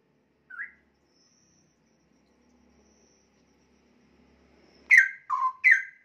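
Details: Young caged straw-headed bulbul about one year old, an active singer with varied song: a lone short note, a long pause, then a burst of rich, loud whistled notes sliding between low and high near the end.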